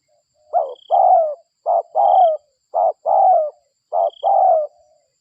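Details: Lure recording of a local spotted dove from Indonesia, meant to attract other doves. Four evenly spaced phrases, each a short clipped note and then a long, rough, slightly falling coo. A faint high whistle recurs above several phrases.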